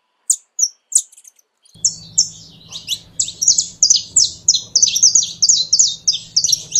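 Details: Saffron finch giving a few isolated sharp chips, then a long run of rapid, high, slurred chirps about three per second, with a low hum underneath.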